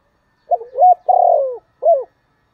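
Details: Spotted dove kept as a decoy, cooing to call wild doves in a voice described as very attractive to them, in the style called giọng thổ: a low, mellow phrase of soft hooting coos, the longest drawn out, then a final short coo.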